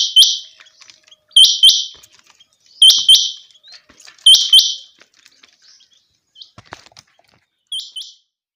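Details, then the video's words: Common quail in a summer meadow. Loud, sharp two-note bursts with a faint lead-in note repeat about every one and a half seconds, five phrases in all, with quiet gaps between. "common quail. bird sounds from summer meadow"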